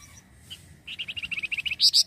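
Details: Chatty flamboyan bird calling as bait for wild birds: a rapid run of high, clipped chirps that speeds up and finishes on two louder, sharper piercing notes.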